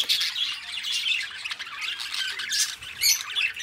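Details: Pet budgerigars, two friends kept together, give harsh squawks mixed into quick scratchy chatter, loud bursts recurring about every half second, with a bright shrill note near three seconds.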